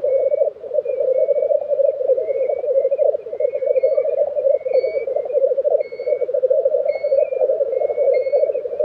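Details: Continuous throbbing lek bubbling of black grouse, recorded April 2023 in Tiveden, Sweden, accompanied by short high whistled notes from another bird repeated about every second.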